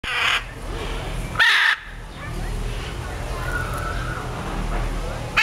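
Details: At San Diego Zoo, a hyacinth macaw gives two loud, harsh, crow-like squawks about a second apart, over a low rumble of background noise and faint voices.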